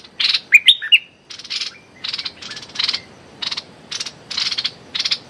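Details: Streak-eared bulbul used as a decoy bird, calling at a captive young female: short bursts of buzzy, chirping notes repeated roughly every half second, opening with a few sharper whistled chirps, over faint background noise.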